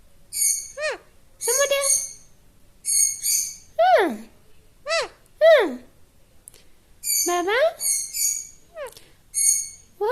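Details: Talking parrot (tota) kept as a pet: a run of short, harmonic, speech-like syllables with sharp rising and falling sweeps, each phrase separated by brief pauses, in a quiet indoor setting.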